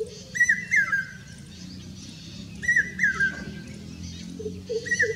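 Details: In Rajasthan, India, a common hawk-cuckoo repeats its piercing three-part whistled phrase, each note dipping in pitch, spaced about two and a half seconds apart, against faint background hum and occasional low burbling calls of another bird.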